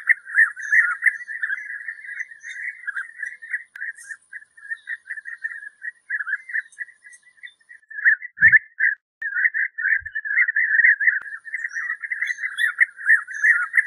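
European bee-eaters give a steady stream of rolling, liquid 'prruip' calls, several birds overlapping.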